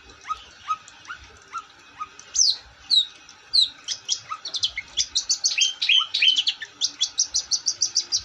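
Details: Long-tailed shrike singing energetically. It opens with soft, spaced upslurred whistles, then breaks into loud, rapid chirps and scratchy notes. These speed up into a fast, even series of sharp tweets.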